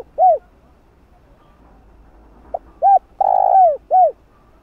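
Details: Spotted dove giving its calling coo, used to excite and train a decoy bird: a short cooing note, then after a pause a soft pip, a rounded coo, a long drawn-out coo falling at the end, and another short coo.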